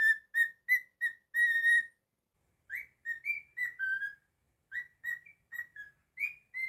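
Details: Pet cockatiel whistling a string of evenly spaced clear notes, then after a pause a varied phrase of rising and falling whistles; pure tones with ringing overtones.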